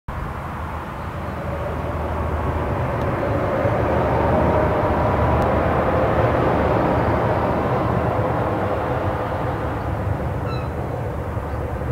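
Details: A steady low rumble of a passing vehicle or distant aircraft fills the recording, with no animal voices heard.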